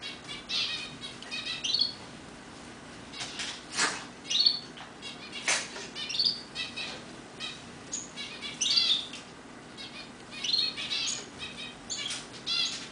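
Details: A roller canary in an aviary sings in short bursts of high chirps and trills, one every second or two, broken by wing flutters and soft clicks.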